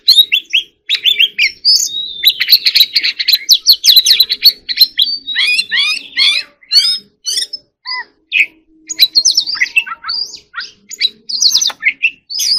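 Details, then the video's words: Oriental magpie-robin in long, energetic song, a nonstop flow of varied phrases: buzzy trills, rapid chattering runs and bright whistled upslurs and downslurs, with short breaks and a faint steady hum in the background. "choè than hót líu || Kacer Gacor"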